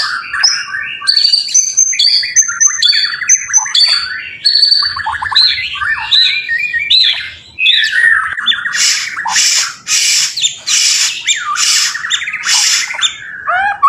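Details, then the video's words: Lure song of a white-rumped shama meant to draw replies from other shamas: fast varied whistles and chattering phrases, then a series of loud harsh rasping bursts repeated at short intervals between sweet notes. "Burung murai gacor ampuh buat pancingan murai batu langsung bunyi nyaut"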